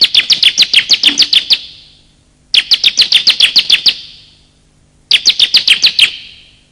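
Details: Male and female bar-winged prinia calls used as a lure for small birds: three bursts of about ten rapid sharp chirps, each burst lasting about 1.5 seconds, with short pauses between; clean recording, no other sounds.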